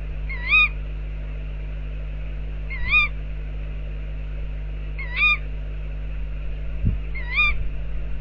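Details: Four clear, wavering calls from tawny owls outside an owl box, evenly spaced a little over two seconds apart, with a few soft low thumps and a steady hum beneath.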